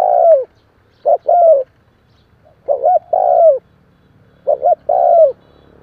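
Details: Cooing spotted dove played to spur newly caught doves into calling: three full phrases of two brief, quick notes leading into a longer mellow coo that curves down, repeated at an unhurried, slightly uneven pace.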